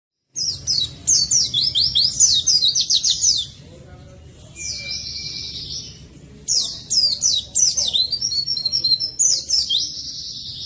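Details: Oriental white-eye singing vigorously, a recording meant to provoke and tutor white-eyes that are reluctant to sing: bursts of rapid, high, descending twittered notes, a pause with a thin steady whistle, then more fast chattering phrases.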